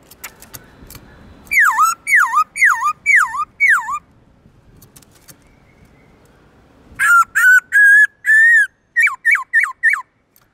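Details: Black-throated laughingthrush in forest-voice song with long, clear tones. After a few faint clicks, five quick looping whistles rise and fall. A three-second hush follows, then a burst of level whistles and more rapid down-slurred notes.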